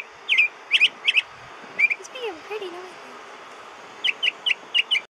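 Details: Outside a window by an airport in spring, around midday, a bird repeats quick, bright up-slurred chirps in short bursts, with a lower whistled sound between them.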